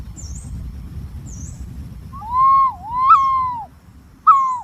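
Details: Green pigeon calling in a quiet setting with a low background hum: two looping whistles that rise and then fall, followed by a short downslurred note. Thin high chirps from another bird come just before.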